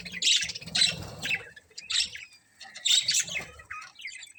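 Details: Budgie colony chatter, several birds chirping at once with scratchy, buzzy notes and a few clearer whistled squeaks, loud bursts around the start and near the three-second mark.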